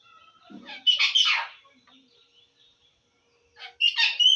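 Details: Assamese talking parrot giving short harsh rasping squawks, one cluster of rough bursts, a pause, then another cluster of grating calls ending in a thin whistle.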